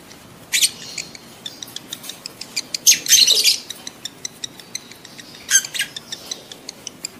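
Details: Mating call of lovebirds in breeding condition, meant to prompt adult birds to pair: rapid dry ticks, about four a second, broken by a dense burst of shrill screeching squawks in the middle and a shorter burst later.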